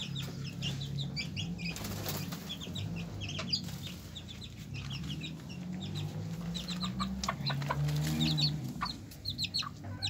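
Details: Hen with her chicks: low steady hum underneath, over which the chicks give scattered high peeps and short bursts of cheeping, with a few soft clucks.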